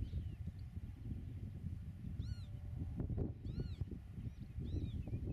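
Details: Pied avocet at its nest in a Dutch meadow, filmed from 8 metres: a few spaced, arched kleep calls, one louder double note, over a steady low rumble of wind.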